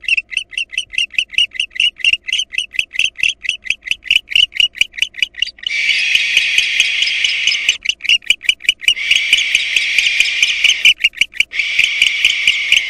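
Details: Barn owl nest scene: a female intruder attacks nestlings, then the returning father fights and expels her. Quick raspy chitters run for several seconds, then give way to long, hissing screeches broken by short pauses and more chittering.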